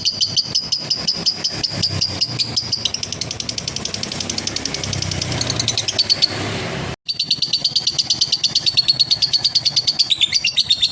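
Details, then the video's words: Konslet-style ngekek from a male lovebird used as therapy for other birds: a high, rasping pulsed chatter, overlaid by broad rumbling noise for several seconds, then a brief break and a clean return of the rapid rattle. "SUARA BURUNG LOVEBIRD JANTAN KONSLET,TERAPI DOBELAN"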